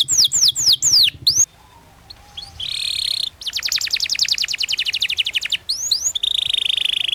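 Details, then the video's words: Canary song for training young canaries: downward-swept chirps, a short gap, buzzy rolls, then a long rapid trill and more sweeps, over faint low background noise. "PANCINGAN Kenari GACOR PANJANG Cuit Cuit EMOSI‼️ MASTERAN Kenari PAUD belajar BUNYI"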